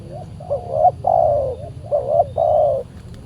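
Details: Very aggressive, fierce wild spotted dove (tekukur) answering a decoy while being trapped on a Saturday; two full phrases of soft hooting coos, each a quick double note leading into a long, steady, slightly falling coo, with a low background hum.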